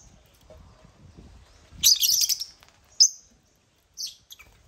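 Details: African lovebirds (Agapornis) taking over a millet crane at a play construction site; a burst of shrill, high chirps midway, then a single sharp squeak and a short chirp, with quiet low rumble beneath.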